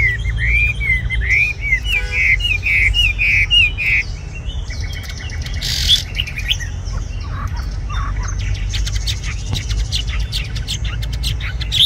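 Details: Red-whiskered bulbul, tame and caged, sings a rippling run of looping whistled notes for several seconds, then falls mostly quiet after a brief noise burst, with scattered faint chirps.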